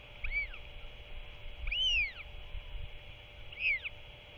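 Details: Chatty royal albatross chick at dusk, 27 March 2024, with its father visiting to feed it; three clear arched calls that sweep up then down, the middle one longest, over a constant background hum.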